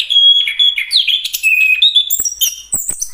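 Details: A Chestnut-capped thrush delivers a long steady whistle, then dropping and rising slurred notes, ending in a run of high thin whistles broken by a few dry clicks.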